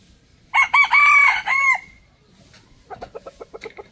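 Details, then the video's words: Rooster crowing, a call linked to showing territory to other males and drawing females: one loud, harsh crow of about a second and a half with several rough stepped syllables, followed by a quick run of short clucks. "rooster crowing sound effect | rooster crowing compilation"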